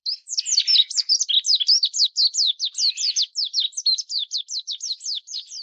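A Lowland White-eye pours out a fast, unbroken twitter of thin, high, down-slurred notes, about five a second, with nothing else heard.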